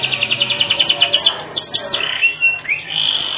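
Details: Canary in gacor full song with a distinctive cengkok, recorded as a masteran tutor: fast repeated pulsed notes at first, then slurred whistles and a sustained clear tone at the end.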